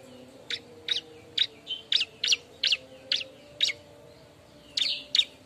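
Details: Bar-winged prinia noisily searching for a mate, recorded for luring: a string of crisp, high chirps about three each second, a pause, then a final quick trio.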